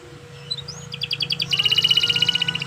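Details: Canary song recorded as a training track for songbirds, opening with faint high whistles, then rapid buzzy trills and a fast rhythmic rattle of repeated high notes; a steady low hum runs underneath.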